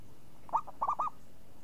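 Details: A champion zebra dove with a crisp, swinging (renyah ngayun) voice gives a single brief rolling phrase: a rising opening coo, a short gap, then three quick bubbling notes, the last slightly drawn out.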